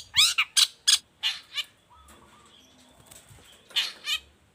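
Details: Long-tailed shrike used as a song model for other shrikes, giving loud harsh descending rasps in a quick burst, a pause with faint soft whistles, then two more harsh notes.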